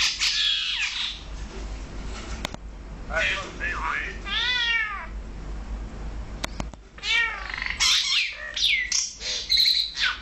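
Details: A male and female Brahminy starling pair in Kuwait give a varied run of high whistles, nasal mewing notes and scratchy chatter, some notes sliding up and down, at an irregular pace.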